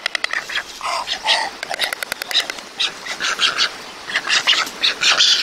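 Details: White stork at a nest in Mladé Buky, Czech Republic, a lone father raising the brood, apparently reacting to a bird on the neighbouring chimney: fast dry bill-clattering bursts, squeaky wheezy calls, other birds chirping around.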